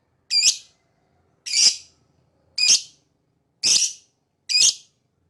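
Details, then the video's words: Lovebird chirping: five sharp, shrill, high chirps, each short and bright, spaced roughly a second apart against a silent background. "Lovebird Singing & Chirping Sound"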